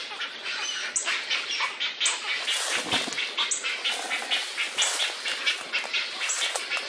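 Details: Nesting wood storks, seen from mating displays through chick growth to fledging; harsh, hissing, broadband rasps come in quick uneven bursts, roughly two per second, loud and throaty, with a soft low rumble underneath.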